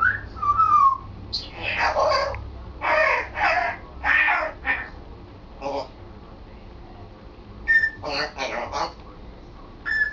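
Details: Pet African grey parrot talking at home, practising words and new sentences such as household phrases; a whistle opens a run of choppy, human-like speech syllables in uneven bursts, then more whistles and chatter.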